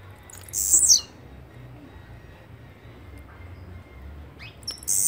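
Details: Blue-black grassquit song: a short, high, buzzy burst that slides downward, heard near the start and again at the end, over a low steady background hum.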